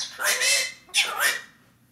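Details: A pet galah cockatoo talking: two raspy, speech-like syllables in quick succession, the second breaking into a rising, slurred note. There is no other sound.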